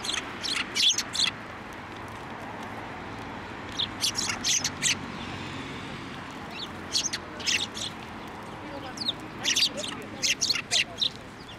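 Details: Tenmangu shrine sparrows landing on a hand to be fed, recorded 15 November 2023. Repeated bursts of sharp, high chirps come in groups of three or four, separated by brief quiet gaps.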